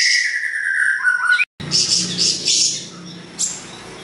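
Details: Siri-siri besar singing, recorded for training songbirds: a strong run of clear whistled notes that step downward. After a brief break, fainter high chirps continue over a low background hum.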